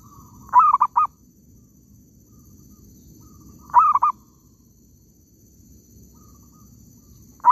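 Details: Zebra dove calling in an oil palm plantation while being trapped. Two full stuttering coo phrases about three seconds apart, then the start of a third at the end, with a quiet background.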